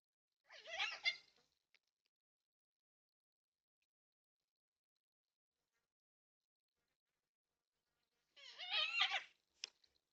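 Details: Four yellow-tailed black cockatoos in a backyard with a bird feeder in NSW, Australia, caught by a security camera on 20 March 2026. Two harsh, raspy wailing calls of under a second each, separated by about seven seconds of near silence.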